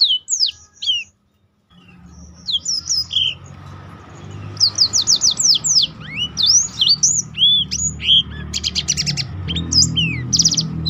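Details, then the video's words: Black-throated canary in full, lively song, kept as a tutor for other birds to learn more varied notes: rapid high whistled sweeps, rising and falling slurs and buzzy trills, delivered in bursts after a brief pause, over a low steady background hum. "burung blackthrout lain pun ikut tergoda berbunyi"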